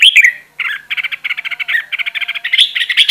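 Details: Red-whiskered bulbul kept caged as a training decoy, producing a loud rising whistle followed by a rapid, rattling series of chattering notes.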